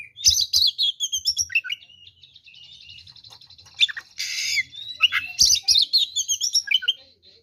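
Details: Aggressive fighting song of an oriental magpie-robin, used to stir rivals into anger: lively chirped and whistled phrases, a stretch of soft rapid trilling, a harsh rasping burst, then more bright varied notes.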